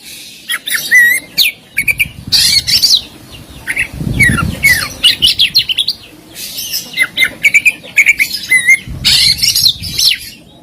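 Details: Oriental magpie-robin (kacer) training song with fill-ins and 'shots'. Dense, rapid mix of harsh squawky bursts, sharp high chips and short whistled notes, with brief low rumbling noises between phrases.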